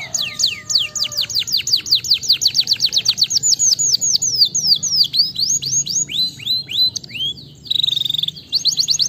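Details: Canary song for stimulating lazy canaries to sing: a long series of quick, high, repeated down-slurred notes that gradually spread out, followed by swoops and a brief buzzy trill.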